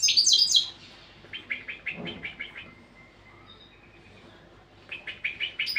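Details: European goldfinch training song: a loud jangling opening burst, then a steady row of short chirps, a long quiet gap, and rapid twittering returning at the end.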